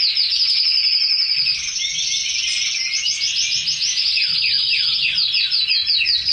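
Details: Red canary song from caged birds, a loud sustained trill sliding into rapid rolling phrases and downward chirps, very high and continuous.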